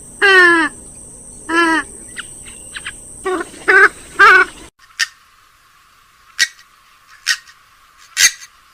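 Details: Purple swamphen lure call: loud nasal, harmonic honking notes, several in the first half, each sliding slightly. After an abrupt cut come short, thin, high clicks at irregular intervals over quiet background hiss.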